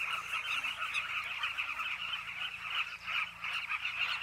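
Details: A dense wall of calls from a carmine bee-eater cliff nesting colony, with countless short rolling notes blending into an even chatter over a low steady hum.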